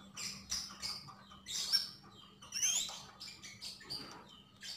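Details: Javan grey-throated white-eye chattering: fast high chirps and twitters, with a couple of louder whistled phrases containing sliding notes, fairly continuous across the stretch.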